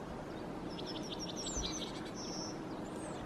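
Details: A Yellowhammer perched in a tree in Helsinki, Finland, in February 2022, sings a quick run of thin, high, repeated notes, then a drawn-out, wheezy final note, over a steady low rumble of background noise.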